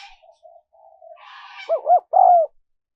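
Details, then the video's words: Spotted dove coo for luring wild doves: soft, low murmured notes and a rustling noise lead into two quick hollow notes and a loud, drawn-out falling coo. "Tiếng chim cu gáy mp3 dùng kích bổi hiệu quả nhất"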